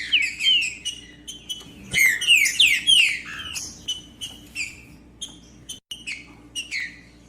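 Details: Green-winged saltator song to wake a quiet captive bird: quick falling whistles in the opening second and again near two to three seconds, followed by softer repeated chirps and a low hum.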